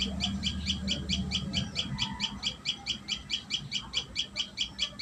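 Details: Common tailorbird at a live nest: quick, repeated high chip notes in an even rhythm, while a low rumble fades out midway.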